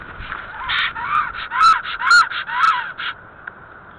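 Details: At the nest in Alitaguse, black storks performing their mating ritual, 17 April 2014: a short series of about eight rising-and-falling whistled notes, loudest in the middle, fading out after three seconds.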